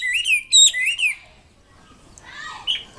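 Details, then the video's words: Brief wambi kembang mandarin song: three loud, ringing whistled phrases in the first second, then quiet with a soft, fainter warble near the end. "BURUNG WAMBI KEMBANG MANDARIN GACOR KICAUNYA"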